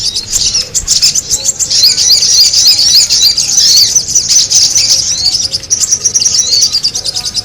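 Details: A sogon bird, recorded for use as a lure, chatters continuously in a high, busy stream of scratchy twitters and squeaks, with no pauses for the full stretch.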